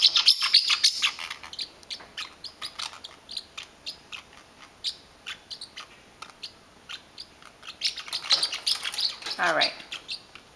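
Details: Caged-at-home parrotlet guarding his blanket scolds angrily: an opening flurry of harsh, high chirps, then evenly spaced sharp ticks for several seconds, and a second noisy chattering burst near the end, with a human voice faintly present.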